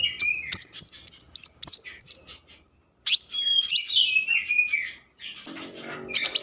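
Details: Constantly singing common iora, used to stimulate breeding mood and get other ioras to sing: a run of high, evenly repeated chips, a short silence, then whistled notes gliding down in pitch.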